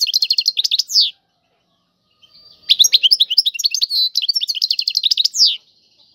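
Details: Tiwawati-style song of a European goldfinch: a short phrase of quick repeated chirps, a pause of over a second, then a longer jumbled twittering phrase with trills and a sweeping end note.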